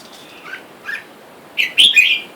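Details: Caged pair of red-whiskered bulbuls, male and female, with wild bulbuls calling for a mate outside; two soft, slurred notes, a pause, then a loud burst of bright chirps and a warbled phrase over steady background hiss.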